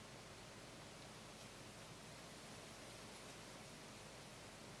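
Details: Only a faint, even hiss of broadband static is heard, with no animal calls.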